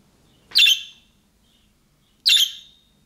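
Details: Two harsh, buzzy budgerigar chirps about one and a half seconds apart, the young-bird calling type that prompts other budgerigars to reply, with quiet background.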